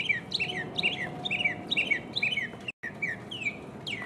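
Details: Mockingbird solo recorded in 2015: loud, fast repetitions of a chirpy two-part phrase with falling slurred notes, repeated about twice a second, briefly cut off, then resumed with new sweeping notes.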